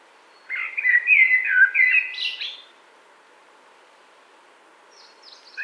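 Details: Common blackbird warbling in a spring wood in 2017: one rich, fluting phrase of varied whistled notes lasting about two seconds and ending in a higher twittering flourish, then quiet, with a faint high chirp from another bird near the end.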